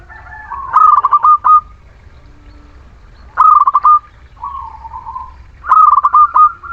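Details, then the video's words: Local Muria zebra dove lure song for reluctant singers: three loud, rapidly stuttered cooing phrases ending in a short held note, with a softer descending coo between the last two. "Perkutut lokal Muria gacor pancingan setiap waktu perkutut malas bunyi"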